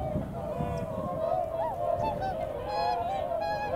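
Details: A flock of swans calling while gathering speed upwind for takeoff, early February around 8 a.m.; overlapping honks with several clearer, rising and falling notes standing out over the steady chorus.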